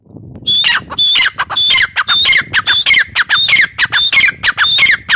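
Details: A grey partridge gives loud, harsh two-part calls, a high held note dropping into a grating downslur, repeated about twice a second in an uneven series.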